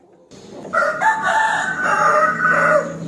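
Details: A rooster challenging an opponent to fight gives a single loud crow. It rises sharply, holds a steady harmonic tone for about two seconds, then cuts off.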